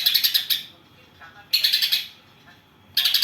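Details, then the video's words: Greater green leafbird with tree sparrow imitations: three short, rough bursts of rapidly repeated, sparrow-like chirping notes separated by brief silences. "Cucak ijo isian Gereja vs Kapas Tembak"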